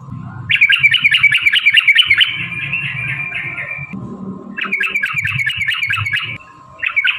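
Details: Fighting song of a yellow-vented bulbul, a long ropel used to lure other bulbuls into singing: dense bubbly warbling runs of two to three seconds, then a shorter burst, over low rumbling background noise and hum.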